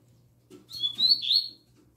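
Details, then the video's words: Caged double-collared seedeater, one of several birds singing in the room, delivers a brief phrase of high, sliding whistled notes, a second bird heard faintly in the background. "OLHA O CANTO DO PAPACAPIM FILHOTÃO NOVATO!!! ELE ENCARTOU O TUI TUI ZEL ZEL!!!"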